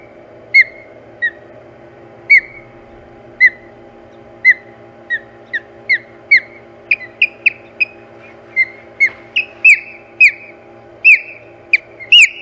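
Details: Osprey at the Hog Island nest on 4 May 2020, calling during a fight over the nest: a long run of short, sharp whistled chirps, sparse at first, then quicker and louder, over a steady low hum.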